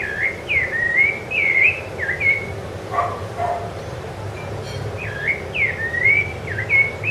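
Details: Song of a Rufous-bellied thrush on Ilha do Governador, January 2013: repeated melodious whistled phrases that swoop down and then rise, about one per second. A short gap in the middle holds softer lower notes and a faint sharp sound.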